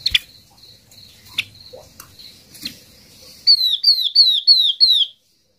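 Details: Yellow-eyed babbler giving a flock-gathering lure call: five quick, high whistles sliding steeply downward, about three a second, after a thin steady tone with scattered clicks.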